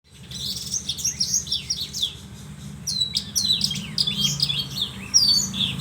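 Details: Horsfield's bush lark song: rapid high chirps, slurred whistles and sweeping notes in dense varied phrases, with a steady low hum underneath.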